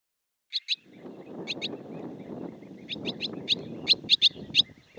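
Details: Barn swallow in Siberia: short sharp high chirps in pairs and small clusters, becoming more frequent toward the end, over a soft low murmuring background.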